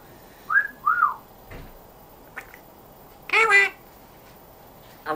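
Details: Pet African grey parrot, said to speak in a Yorkshire accent, indoors: two short rising-falling whistles, then a brief harmonic voice-like utterance after a pause, and a faint clipped sound at the end. A quiet room.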